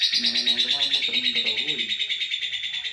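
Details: Fighter lovebird delivering its ngekek panjang long trill, a steady high rattling run of fast pulses, while a man talks quietly underneath.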